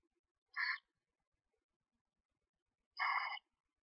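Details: Two screech owl chicks, hatched one to two days earlier, chirping inside a nest box as the mother feeds them; two separate rough, buzzy chirps roughly two and a half seconds apart, otherwise silent.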